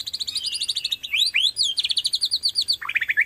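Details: White-rumped shama, Borneo type, singing as a lure to rouse other shamas; a rapid, high chattering trill runs throughout, broken by quick upward slurs and ending with lower twittering notes.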